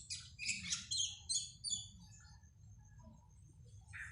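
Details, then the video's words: Cak keling, described as singing readily day and night after a diet of catfish pellets, gives a brief burst of harsh, high chattering notes, then a thin drawn-out whistle and softer twitters over a low hum. "cak keling rajin pagi siang sore malam rajin bunyi"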